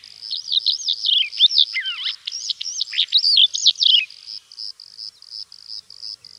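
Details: Greek Calandra lark pouring out rapid, varied twittering with swooping whistled slurs for about four seconds, after which a steady pulsing insect-like buzz carries on alone.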